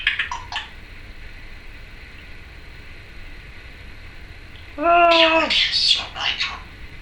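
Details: Female Timneh African grey parrot kept as a pet, vocalising indoors: a short burst of harsh chatter, then a loud, slightly falling harmonic squawk followed by raspy chattering notes; a person talks nearby.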